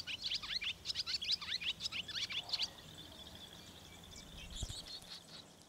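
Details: On a farm on a rainy day, barn swallow chicks in their nest over the milking parlour door give a fast run of high, thin chirps for nearly three seconds, then fall quiet apart from faint twittering and a soft thump.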